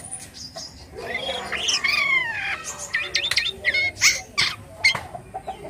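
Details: Black-winged starling (jalak kapas) in full gacor song: a varied rapid run of squeaky slurred whistles, harsh chatters and sharp clicks, loud and irregular, with a faint low background hum.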